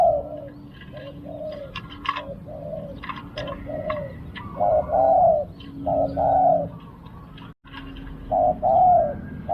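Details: Spotted dove heard during a Thai decoy-luring session. Mellow, low coos repeat in short phrases, some longer and rolling, across the recording. High clicks and chirps sound above them, and one brief sharp dropout occurs partway through.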